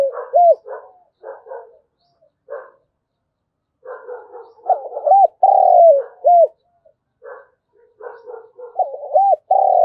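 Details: Spotted dove used as a decoy, giving a morning lure call to draw in wild doves: a rhythmic three-part coo of arched notes, a long purring middle phrase and a falling end, repeated with softer coos between.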